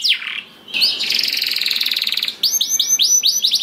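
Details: Canary song meant to get other canaries singing: a falling whistle, a long rapid buzzing roll lasting over a second, then a series of bright looping whistled notes repeated quickly.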